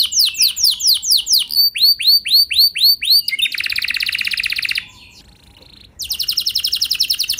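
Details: Canary song used as a lure to set other canaries singing long and vigorously: rapid repeated rising whistled notes, then buzzy fast trills, a brief pause, and another dense high trill.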